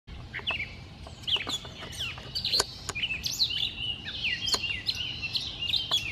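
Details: Gray Catbird in Lucas County, Ohio, on 17 May 2018, singing a continuous jumble of squeaky, scratchy phrases and quick slurred notes, mostly high-pitched, with faint background hiss.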